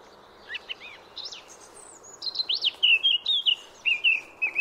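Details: Wild Eurasian blackcap singing: a soft, scratchy, rapid warble of varied high chirps and slurred notes, building into loud, clear, fluting whistled phrases repeated quickly over the last two seconds, against a quiet background.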